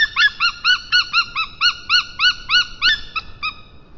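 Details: Estonian white-tailed eagle pair during a fish-gift delivery by the male and mating, early afternoon of 22 March 2023. Rapid repeated high yelps with bright harmonics, around three or four per second, fading toward the end.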